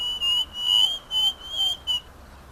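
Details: Striped cuckoo song: four clear, even, high whistled notes in a steady series, each slightly longer than a quarter second, with quiet gaps between.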